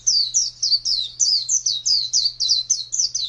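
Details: Contest-bird white-eye (pleci), kept as a pet, recorded in 2017 giving even, rhythmic high chirps, each a quick downward slur, about three per second, with a steady faint hum below.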